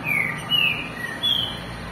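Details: Captive green-winged saltators (Saltator similis) in late afternoon, rival males placed close together for ten minutes to compete: one gives three clear, high, slightly slurred whistled notes about half a second apart, over a soft hiss.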